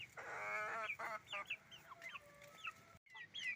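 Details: Chicken farm with roosters and hens calling: a loud, rasping, harmonic squawk opens, followed by scattered high, upward-sliding chirps from many birds, briefly cut by a sudden silence near the end.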